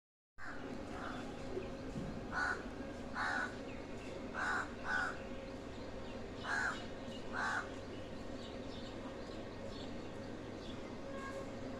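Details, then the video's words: Crow calling: harsh, hoarse caws given singly and in close pairs, about six clear ones spread over ten seconds, over a steady low background hum. "beautiful crow voice"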